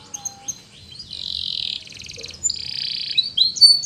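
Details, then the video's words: Canary training song with soft opening chips, then long buzzy rolled tours and a rapid pulsed trill, closing with bright whistled notes; faint low hum beneath. "The Canary's Voice Called"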